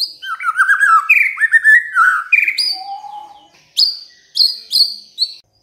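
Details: Energetic 'gacor' song of a white-rumped shama: rolling, warbled whistles rising and falling, a single lower drawn-out note, then spaced sharp, high ringing notes repeated about every half second, with nothing else audible.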